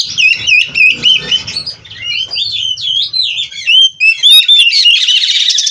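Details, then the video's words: Captive-bred oriental magpie-robin (kacer) singing a varied run of whistled notes and mimicked chatters, loud and fast, ending in a harsh buzzy trill. "Burung Kacer Gacor Full isian"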